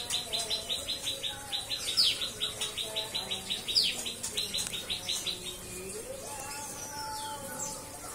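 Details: White-rumped shama kept by a breeder, singing cikris: fast chain of sharp, high chips for about five seconds with a couple of sweeping accents, then fading into quieter lower whistles.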